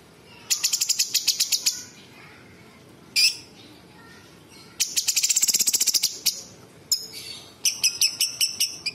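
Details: Bulbul in varied song mimicking small birds, large birds and insects: fast trains of sharp high ticking notes, a harsh burst, dense rattling phrases and clipped repeated chips.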